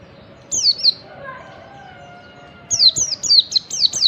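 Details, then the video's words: Morning song of a wild Oriental white-eye, yellow-breasted form, used to spur other white-eyes into song; two high downslurred notes, a pause with faint background tones, then a fast burst of six falling whistles. "pancingan pleci bahan agar cepat ngeriwik 🎶, pleci ngalas pagi hari"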